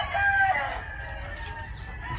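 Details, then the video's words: Rooster crowing during an afternoon at a chicken farm among many chickens: a brief, steady harmonic crow note lasting about half a second before fading, followed by low rumbling background noise and faint scattered farm sounds. "listening to the roosters crow"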